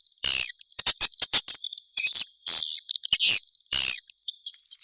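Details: Swiftlet lure call played to attract swiftlets: bursts of bright, high chirps and twitters, short and irregular, separated by brief silences.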